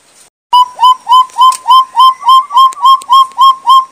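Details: Sumatran partridge, a Sumatran endemic of the Bukit Barisan mountain forests, used as a lure call: a loud, evenly spaced series of mellow whistled notes, each rising then dipping, about three per second, with no other sounds.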